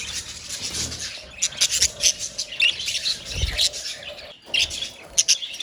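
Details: Colony of budgerigars giving a continuous high twittering chatter, studded with sharp chirps and brief squeaks that come in clusters every second or so, over a low background rumble.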